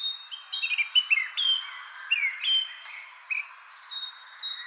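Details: Birds chirping on a spring evening: short whistled, downslurred notes repeated irregularly over a steady high insect-like trill.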